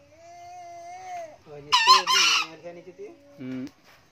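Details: Old male green junglefowl, a diligent crower, delivers a sharp, hoarse two-note crow. Steady whistled tones and low honking clucks from nearby fowl come before and after it.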